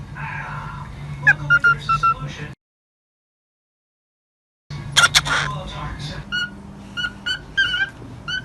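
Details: A pet cockatiel says "Jose Pappa" in a thin, scratchy, whistly voice, breaks off, then repeats it; a low household hum runs underneath.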